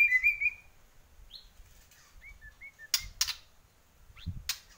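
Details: White-rumped shama of the Borneo type singing actively: a bright whistled opening phrase, then scattered short slurred whistles separated by pauses, with a few sharp clicks.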